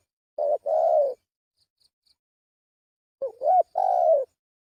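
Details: Spotted dove uttering a lure call, a short coo and a longer falling one, a pause of two seconds, then a rising warble and another long coo.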